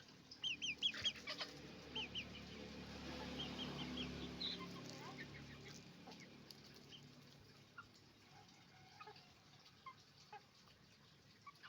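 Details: Roosters and hens on a chicken farm making noise: a burst of short, harmonic squawks and clucks early on, then scattered quieter clucks over a steady low barn hum.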